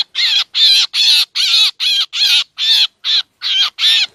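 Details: Black drongo calls used as a lure for bird trapping: harsh, buzzy, rasping notes with descending arched overtones, given about every half second in a steady series of nine, with no other sounds.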